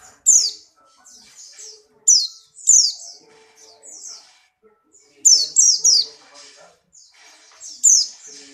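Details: Caged white-eye of the Buxtoni type, in strong breeding condition and hopping actively, gives bursts of high, sharp, rapid twittering notes with short pauses between phrases; faint low background sounds.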